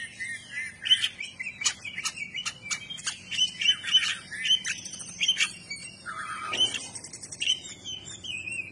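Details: Oriental magpie-robin singing with spread tail: repeated short whistled notes and clicks at a steady brisk pace, with a low buzzy phrase near the end and faint background hum.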